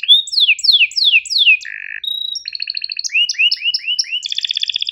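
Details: Sharp canary tutor song of chirps and rolls: falling whistles in quick succession, a low buzzy burst, then stuttered trills, arching chirps and a closing rapid high roll.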